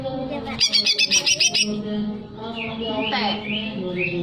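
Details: Greater green leafbird singing to stimulate breeding arousal: a quick series of about seven buzzy harsh notes, then soft upslurred whistles, over steady low droning tones.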